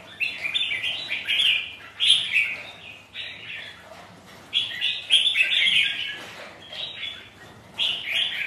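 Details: On a rainy, windy day, sparring red-whiskered bulbul rivals answer each other with clear chirruping phrases, loud bursts recurring roughly every three seconds over a soft hiss.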